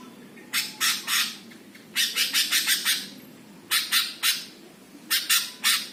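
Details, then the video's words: Master song of a greater green leafbird used to provoke other birds: groups of rasping, broadband squawk-like notes, a fast run of five, then pairs and triplets, with steady background hum. "MASTERAN CUCAK HIJAU BIKIN EMOSI BURUNG LAIN"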